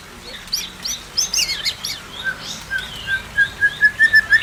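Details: White-rumped shamas, a pair in an aviary, giving high twittering notes that give way to a series of clear whistled notes repeated about every quarter second and rising slightly at the end.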